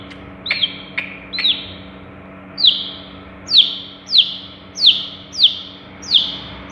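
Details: Long-tailed shrike, a Madura cendet known for copying other birds' voices, giving a series of sharp descending whistled notes, about one every half second, over a faint constant hum.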